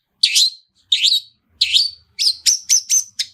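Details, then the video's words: Long-tailed shrike "toet toet" lure song meant to set a bird singing: three rising, scratchy phrases, then a fast run of short clipped notes, each ending in a thin high whistle. "SUARA TOET TOET SAMBUNG ISIAN MEWAH DIJAMIN LANGSUNG ON, PANCINGAN CENDET GACOR ISIAN MEWAH"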